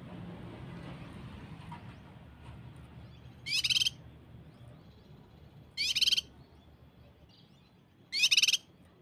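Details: Cucak kinoi in a training recording meant to coax birds into singing, in the tight 'tembakan rapat' style: three short, harsh, buzzy rattling bursts about two seconds apart over faint low background hum.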